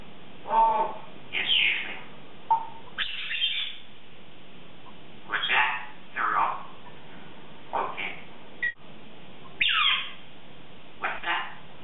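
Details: Morning routine of a 3.5-year-old female Congo African grey parrot, kept as a pet, chattering and practicing words: repeated bursts of mumbled, word-like phrases and sliding squeaky notes, with a sharp click near nine seconds.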